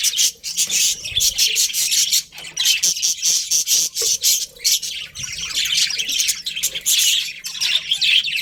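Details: Budgerigar colony of breeding pairs: continuous shrill squawking chatter with fast repeated chirps, many birds overlapping, swelling and dipping but never falling silent.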